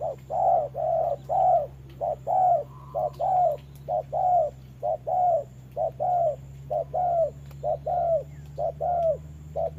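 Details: Spotted dove acting as a trapping decoy, sparring with a wild bird as rain falls; steady, evenly spaced mellow coos, roughly one per second, short and long notes alternating, with a droning low hum throughout.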